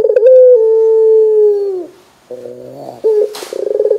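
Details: Barbary dove calling loudly to set other doves calling: one long level coo held over a second and sliding down at its close, then a low buzzy murmur and a quick rolled burst.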